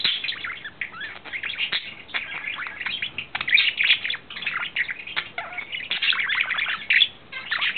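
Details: Male budgerigar in love, kept as a pet, recorded April 2009; continuous warbling chatter of fast scratchy notes, clicks and short whistles, steady and unbroken.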